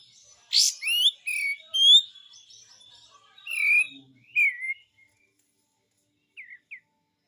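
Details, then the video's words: Actively singing pied triller, besetan style: a rasping opener, several slurred downward whistles, then silence with two faint short notes at the close. "SUARA BESETAN KAPAS TEMBAK ‼️ GACOR ‼️"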